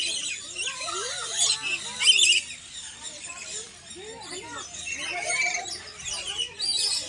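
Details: Lories at a safari and adventure park in Cebu, Philippines, give harsh, high, scratchy chirps and screeches in a steady chatter, with people talking in the background.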